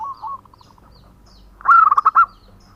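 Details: Local male zebra dove, natural-voiced and singing actively for use as a lure: a brief purr fading into soft spaced notes, then a loud quick stuttering burst of bubbling coos.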